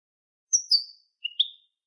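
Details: Canary phrase in the malagueño song style, from a recording for training: two short high whistles slurring downward, a brief gap, then two lower whistled notes rising slightly.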